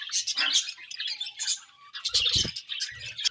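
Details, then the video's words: Morning feeding among budgerigars: bursts of sharp, high twittering chirps with short pauses, plus a few dull knocking sounds of activity. "Budgies Morning Feeding and Chirping Sounds"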